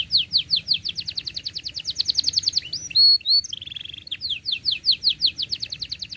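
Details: Canary singing to teach youngsters: rapid runs of sharp downward-sweeping chirps, about five per second, broken by a brief high whistle and a short buzzy trill, then the chirp series resumes.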